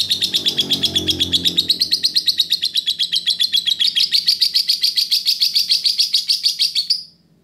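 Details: Lovebird master song for training other birds: a fast, even series of buzzy high chirps repeated about six times a second for seven seconds, rising slightly toward the end; faint low rumble early on.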